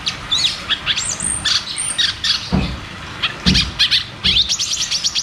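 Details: Rolling 'ngeroll tembak' song of caged cucak cungkok, meant to coax silent birds into singing: sharp high chirps and whistled flourishes, with a few low dull knocks in the background.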